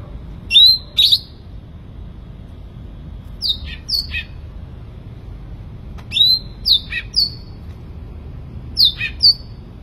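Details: Sooty-headed bulbul in energetic song, repeating short phrases of two or three piercing downslurred whistles roughly every two to three seconds above a soft low hum.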